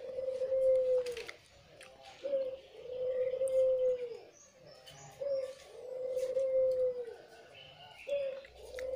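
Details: White, red-eyed Barbary dove, used as a lure bird, cooing: each phrase opens with a short note, then a long, even, mid-pitched coo drawn out over a second or more. Phrases come about every three seconds, with faint higher chirps behind.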